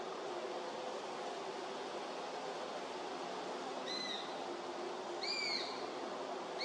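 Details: A young Eurasian sparrowhawk begs with three short, thin, arched squeals about a second apart, over a steady rushing background hiss; recorded at Beemdkant, Wijnegem, 11 August 2021; Eurasian sparrowhawk.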